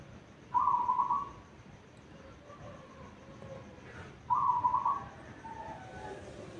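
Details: Tuban local zebra dove singing on its perch before dawn, around three a.m., kept as a lure for other doves; two quick rolling phrases of staccato low coos about four seconds apart, with soft insect-like hiss behind.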